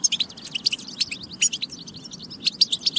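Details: Goldfinch singing, played to encourage other goldfinches to sing and be ready: quick bursts of bright, high twittering notes separated by brief pauses, with sharp accented chirps near the start, middle and end over a faint low rumble.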